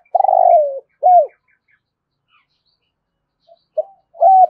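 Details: Spotted dove in the thúc gù cooing style with a thổ rền voice: a long rolling coo sliding downward, an arched final coo, a pause, then a short note and a new coo phrase starting.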